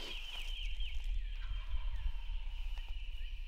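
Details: Male wild turkey gobbling from the roost on a rainy opening morning of turkey season, about 150 yards from camp: distant, rapid descending rattling bursts early on, then steady rain hiss and low rumble.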